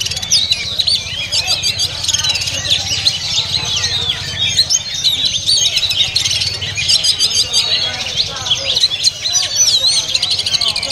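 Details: Caged oriental magpie-robin singing at a bird market: a dense, fast run of high whistled and twittering notes with sharp upward and downward sweeps, delivered nonstop over ten seconds, with other chirping birds and a low background hum.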